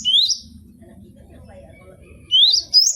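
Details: Gelatik batu, the cinereous tit, kept for song training: one sharp rising whistle, a pause filled with soft background murmur, then two more bright upslurred notes.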